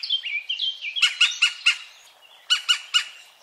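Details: European green woodpecker near Wittlich, 2017: sharp, harsh notes given in quick bursts of three to four, after a few softer whistled notes from other birds at the start.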